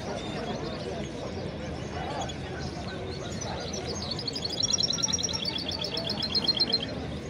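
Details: Hybrid songbird from a male goldfinch crossed with a female canary gives a fast, high, twittering trill in the second half, notes repeated several times a second, over constant low-pitched background noise.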